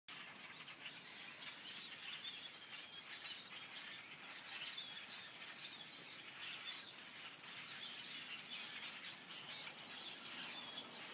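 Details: A tree full of grackles keeps up a dense, unbroken chorus of squeaky, creaking calls and sharp chatters, like many rusty door hinges at once.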